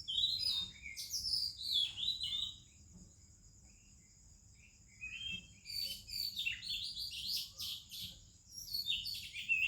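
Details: Oriental magpie-robin singing in the morning in India among other birds: bursts of varied whistled and chirpy phrases, a quiet pause midway, then more rapid warbling notes over a steady high insect-like hiss.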